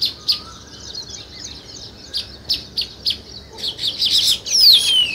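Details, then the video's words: Sparrow chirping around weaver birds building a nest: spaced sharp chirps, quickening into dense chatter, closed by a loud, clear, falling whistle. "Sparrow Chirping Sounds"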